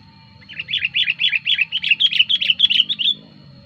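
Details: Fast rolling series of about twenty bubbly, warbled notes from a sooty-headed bulbul, a lively lure song meant to attract wild birds and to serve as a tutor for cage birds. The notes rise slightly in pitch toward the end.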